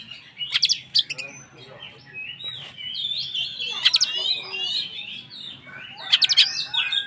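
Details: Oriental magpie-robin singing loudly as a lure for rival magpie-robins; rich warbled whistles mixed with repeated harsh, crackling bursts, steady low hum underneath.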